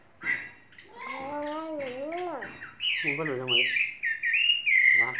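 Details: Tame caged Chinese hwamei, trained over three seasons, singing: lower harmonic warbled notes with rising-falling slides, then loud, clear whistled phrases that rise and fall, delivered in quick, varied bursts.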